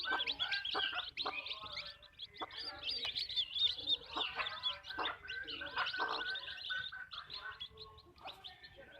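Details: Backyard chicken farm, hens clucking: short throaty clucks repeated several times a second amid high chirping, from many birds together, loudest at the start.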